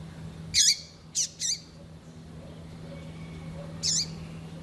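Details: Female double-collared seedeater giving short calls used to excite and warm up a male: four harsh, buzzy chips with a falling tail, three in quick succession, then a single one after a pause, over a low steady hum.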